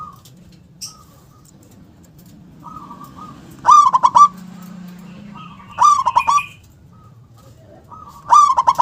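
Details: Local zebra dove giving its big, punchy 'KUNG' song: softer far-off phrases at first, then three loud bursts of rapid stuttered coos, each trailing into a sustained note, about every two seconds.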